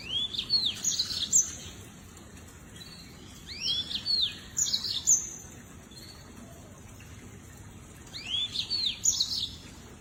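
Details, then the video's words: Lemon-breasted canary song: short clusters of high arched whistles and sharp chirps, repeated roughly every three to four seconds with quiet gaps between, soft background hiss. "The Chirping Of The Lemon-breasted Canary"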